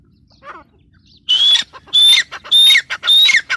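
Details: Female grey francolin, known locally as teetar, giving four loud, harsh, squawking notes with a thin whistled edge, spaced about every 0.6 seconds, after a faint softer note at the start.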